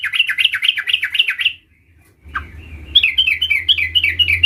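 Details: Sooty-headed bulbul, a juvenile practising the rolling ngerol song: fast, wavering, looping whistled notes about four per second, a short silence, then the rolling phrase resumes over a faint low hum.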